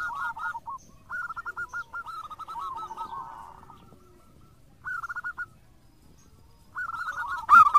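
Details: Indonesian local zebra dove singing as a lure bird, giving several bursts of rapid rolling coos separated by quiet gaps, with a soft purr in between and a sharp knock at the end.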